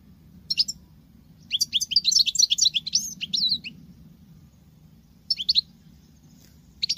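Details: Female European goldfinch singing like a male: a brief note, then a rapid two-second run of high, tinkling twittered phrases, followed by short isolated bursts; steady low hum in the background.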